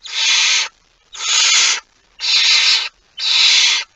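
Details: Barn owl at a nest with prey, 23 September 2019 shortly after midnight; four evenly spaced, harsh, breathy hissing screeches, each about two-thirds of a second, in a steady rhythm.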